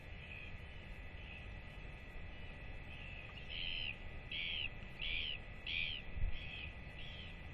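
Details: Northern royal albatross chick at feeding time with its parents, 8 October 2024: soft calls early on, then a louder run of arched, whistling notes about every 0.7 seconds in the second half, over constant wind noise.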